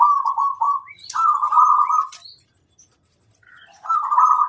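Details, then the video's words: Local zebra dove (perkutut) singing lively; long, steady, smooth cooing notes, two drawn-out coos back to back, a brief pause, then another coo begins, with faint soft chirps in between. "Suara sang masteran burung kutut lokal manggung gacorrr"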